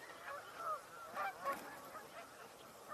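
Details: Several geese on water among ducks and a mute swan on 19 October 2024 suddenly start vocalizing a lot, honking in overlapping, nasal calls, some rising and falling, in bursts about every half second over steady background noise.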